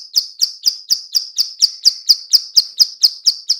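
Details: Female bar-winged prinia clicking to lure other birds: evenly spaced, sharp high tick notes, about four each second, about fourteen clicks in total.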